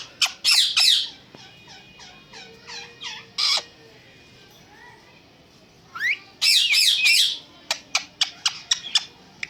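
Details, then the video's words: A talking parrot gives a few loud raspy squawked syllables, then softer clipped chatter and a short whistle, goes quiet, and ends with a second loud burst followed by quick sharp clicks. "एक बहुत ही प्यारा बात करने वाला तोता || Best And Super Talking Parrot"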